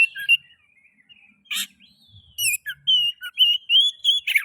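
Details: Oriental magpie-robin song used as a lure to stimulate other magpie-robins to sing: varied clear whistles around mid-high pitch, some sliding and rising notes, with short sharp bursts in between and faint low hum beneath.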